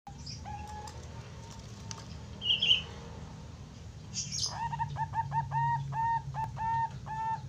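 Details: Young Bangkok-type zebra dove with a deep, bassy voice, kept as a tutor bird. Its song comes in the second half as a quick run of short, clipped cooing notes, evenly repeated over steady low background hum.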